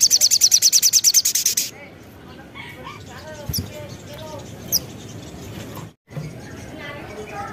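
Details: Lively Sogon song, played as a lure to draw other birds to answer: a rapid train of high, piercing notes opens, then breaks into softer, scattered lower chatter and faint background sounds.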